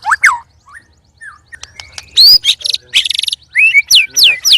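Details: Loud, strange song of a caged white-rumped shama while sparring with two other birds. Scattered sharp chips lead into a buzzy rattle, a rising whistle, and a series of bright descending whistled sweeps.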